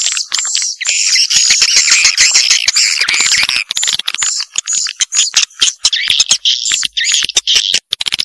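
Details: Swiftlets in a Vietnamese janda-style lure recording: a continuous mass of high, rasping chirps and clicky twitters, a little over two bursts a second, with short thin whistles on top.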